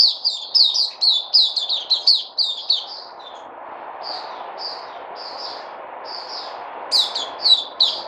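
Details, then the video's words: Recorded 03082020, a white-eye (Puteh) gives a fast burst of high chips, then spaced single soft notes about every second, then a short renewed chatter. "Puteh Crazy"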